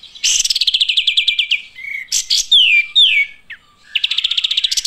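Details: Olive-winged bulbuls chirping with a quick stuttering trill that drifts lower, a brief scratchy burst, two clear falling whistles, a short pause, then another rapid rattling run of high notes.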